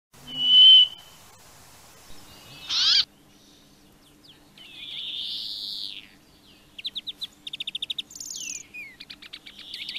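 A Brambling gives a drawn-out, buzzy wheeze amid clear whistles, a harsh burst and quick runs of high chipping notes, with other small birds calling nearby.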